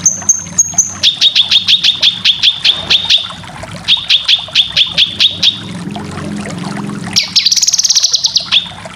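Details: Cucak kinoy song for training competition birds: long runs of evenly spaced sharp chip notes, then a loud buzzy trill ending in a clipped note, over a low background hum.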